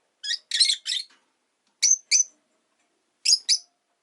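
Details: Rosy-faced lovebird, relaxed afternoon at home: a quick raspy triple of chirps, then two pairs of shrill, whistled notes separated by short silences.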